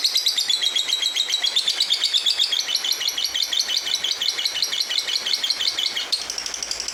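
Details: Lovebird of the fighter type singing gacor, chattering persistently: rapid, high, shrill chirps repeated about three times a second in a continuous, unbroken stream, indoors.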